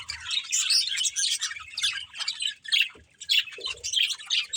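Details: Budgies playing produce a lively stream of high chirps and warbling twitters in bursts, pausing briefly near the three-second mark before the busy chatter resumes.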